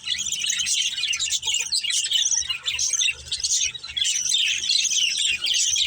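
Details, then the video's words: Playing pet budgerigars, several together, chirp and warble nonstop in a busy high-pitched chorus of quick tweets and scratchy notes, with faint low rumbles underneath. "Beautiful Budgies Chirping Sounds"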